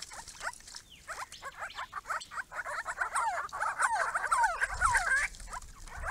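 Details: Small group of Grey-crowned Babblers coming to a pond on a property: soft rapid chattering that builds into a busy jumble of squeaky descending whistles, then fades back to quieter notes.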